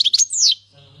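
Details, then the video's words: Syrian goldfinch in song, described as the 'king's language' sung without mistakes; quick high twitters followed by a drawn-out downslurred whistle, then a low hum. "غناء الحسون السوري لغة الملك بدون اغلاط"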